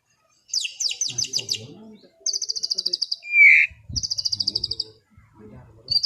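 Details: Afternoon relaxation song from a white-rumped shama: high rapid rattles in separate bursts, one loud slurred whistle in the middle, more fast high trills, with soft low background noise between phrases.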